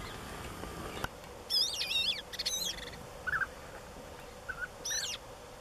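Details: European bee-eaters at Valdesogo on 11 May 2013. Rolling, trilled calls arrive in three short bursts, with faint lower notes between them over a steady background hiss.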